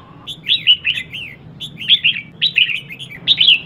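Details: Red-whiskered bulbul, a female calling to stir up males: cheerful chains of three or four slurred whistles, repeated in rhythmic phrases roughly every second, with a steady faint hum behind.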